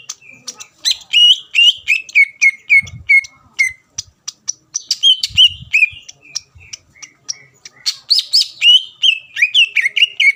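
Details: Lure song of a greater green leafbird, meant to trigger rival birds to reply: long rapid series of loud downslurred whistles interspersed with sharp clicks, varying in pitch, roughly three notes per second, with occasional faint low thumps.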